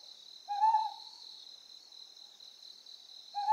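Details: Ryukyu scops owl, Amami Oshima: a single rough, slightly upslurred hoot, then another beginning about three seconds later, set over steady insect trilling.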